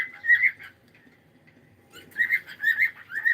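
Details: Pet cockatiel uttering warbling whistled notes, one short burst then a pause and a longer run of wavering chirps in a quiet room.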